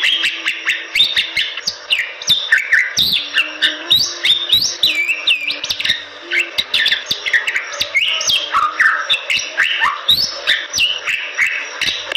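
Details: Bali myna, endemic to the western forests of Bali, Indonesia, in long energetic song: quick whistled and slurred phrases that jump up and down in pitch, with sharp clicks running throughout and a faint low hum.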